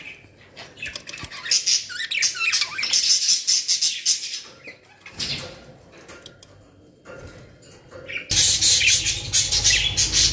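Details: Captive budgerigars from a new bird collection kept in Pakistan, also called bajri totay. Dense, rapid chattering and chirping trills from several birds, pausing briefly midway and then rising again into a loud, busy chorus.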